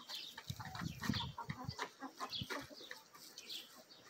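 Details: Backyard hens and rooster of Marans, Bielefelder and Araucana breeds in a feeding frenzy; low throaty clucks early on, then lighter rapid pecking clicks and scratching.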